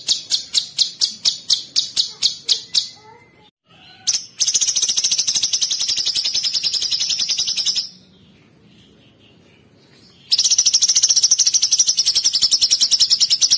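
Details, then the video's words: Sooty-headed bulbul (cucak cungkok) giving 'tembakan kristal' bursts. Separate sharp high clicks open the song, then long dense buzzing trills of very high notes come in two stretches with a silent gap between them. "TEMBAKAN KRISTAL CUCAK CUNGKOK ISTIMEWA"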